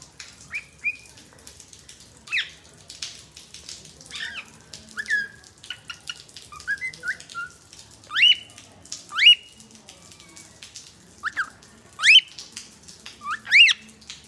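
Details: A cockatiel living together with a green parrot gives clear whistled calls, some sharply rising and upslurred, repeated at irregular intervals.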